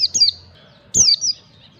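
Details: White-eye (pleci) 'ngalas' song used to train birds: two pairs of high, sliding whistles, each note falling steeply, the pairs about a second apart.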